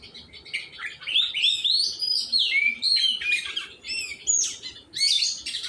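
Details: Oriental magpie-robin in song training, delivering clear rising and falling whistled notes and quick chattering phrases, a bright sliding note near the middle and a sharp high note late on.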